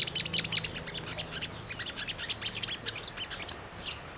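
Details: Brown-throated sunbird song played as a lure to make birds respond: an opening fast run of sharp, high chips, followed by evenly spaced single bright tsip notes.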